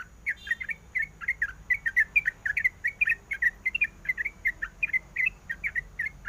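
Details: Female sooty-headed bulbul calling to a male, a fast run of bright chirps and short whistled notes, closely spaced and continuous, with a faint low hum underneath.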